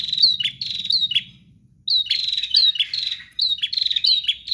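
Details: Persistent prinia song, high and metallic, delivered as fast chains of clipped chirps in two extended bursts with a short quiet break, over low background hum.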